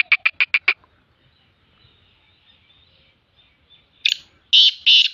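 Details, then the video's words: Black francolin, reportedly female, calling in the morning in a happy mood: a quick run of five harsh, clipped notes, then after a pause three louder grating bursts, with faint chirps in between. "black Francolin Voice Kaly Teetarcalling Partridgevoice"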